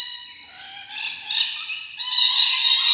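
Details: Rainbow lorikeet screeching: a thin wavering note builds into sustained, piercing, nasal squeals that grow louder toward the end.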